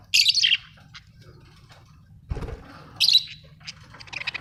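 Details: Budgerigars kept at home: a scratchy chattering burst, a brief thump, then more buzzy chirps and quick twittering notes.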